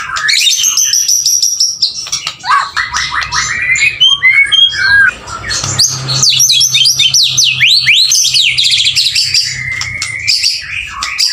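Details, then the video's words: Male white-rumped shama pouring out energetic song: fast high trills, scratchy chatter and a long sequence of steep rising whistled sweeps, with a faint low hum beneath. "MB PJR gacorree polll"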